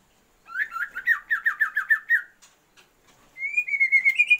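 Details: Female Oriental magpie-robin calling to stir a male's breeding drive, giving a string of about nine quick downslurred whistles, a pause, then a higher buzzy rising trill.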